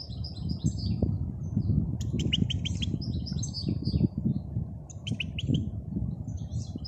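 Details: European goldfinch in the wild giving clusters of high, tinkling chirps and twitters in several bursts, with a constant low rumbling background throughout.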